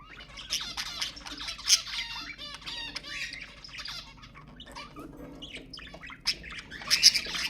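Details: Budgerigar chatter for stimulating pet birds: bursts of rapid, scratchy warbled notes and squeaks, quieter in the middle, ending with loud sharp chirps.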